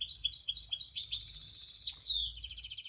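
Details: Munia singing high, rapid chirping notes that merge into a buzzy trill, then a quick downward-sliding note and a short pulsed rattle at the end.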